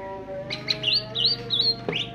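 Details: A greater green leafbird sings in ngentrok style: a brief string of high warbled, looping whistles ending in a rising note, heard over a low steady hum.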